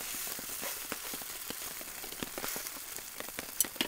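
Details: Sizzling, crackling patter of rain on a tent while camping, with no animal sounds.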